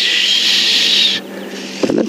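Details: Oxpeckers on buffalo during a morning safari drive give a harsh, hissing, rasping alarm call about a second long at the vehicle, seen as a predator, warning other animals; then brief low knocks and rumbles follow.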